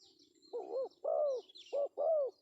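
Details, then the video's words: Spotted dove male calling in the 'pesom' style, a lure call: two coo pairs, each a short note then a longer, bowed coo, with faint high twitters from other birds. "suara panggilan Tekukur pesom"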